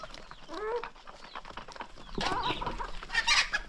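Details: Morning feeding of a hungry chicken flock. One nasal, harmonic cluck sounds early on, followed by loud scratchy rustling and pecking bursts, possibly from grain and feeding activity.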